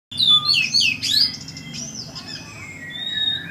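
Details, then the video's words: Oriental magpie-robin singing: a rapid burst of bright, varied whistles and sweeping chirps, then fading into longer, steady whistled notes, over a low steady hum. "Kacer ngeplay"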